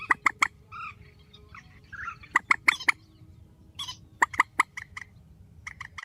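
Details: Strong calls of a grey-headed swamphen: quick groups of two or three crisp, percussive notes, interspersed with softer nasal sounds, against a low rumbling background.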